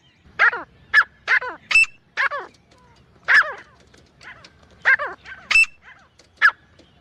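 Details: Grey francolin, male and female, trading harsh notes with downward-sliding overtones, mixed with two brief, thin, high whistles, in irregular bursts over seven seconds.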